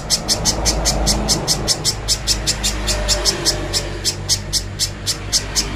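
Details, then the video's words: Little spiderhunter song for training as a master: quick repeated shrill chips at a steady pace, set against a noticeable low hum and broadband background noise. "MASTERAN BURUNG PIJANTUNG PISANG JERNIH"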